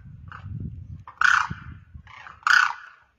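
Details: Demoiselle crane, known locally as koonj or karkara, one bird on the ground calling to others in the air; two loud harsh rolling calls about a second apart, with low rumbling background noise.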